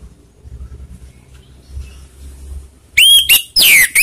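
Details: Orange-headed thrush lure song aimed at rival birds: three seconds of quiet low hum, then three loud, sharp whistled notes, the last one a long downward slur.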